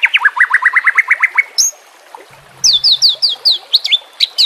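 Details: White-rumped shama song used to train captive birds: a rapid series of sharp rising notes, a brief pause, then high piercing whistled chips in quick succession, with a faint low hum in the background.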